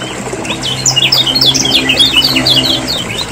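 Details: Lemon-bellied white-eye from Lombok, lure chatter for stimulating reluctant caged birds: a quick run of high, jumbled chirps and short slurred notes, loudest in the middle, with a faint low hum beneath.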